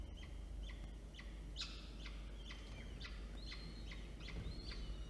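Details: Two peregrine falcon chicks, older and younger, being fed by an adult at Orange, New South Wales, Australia, on 9 October 2022: sharp clicking bursts about twice a second mixed with short, rising whistled squeals, over a low hum.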